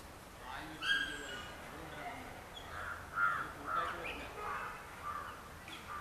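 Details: Yellow-billed babbler, locally poothankiri, opens with a loud rasping squawk, then gives a series of short harsh nasal notes roughly every half second, fairly close and clear over a quiet background.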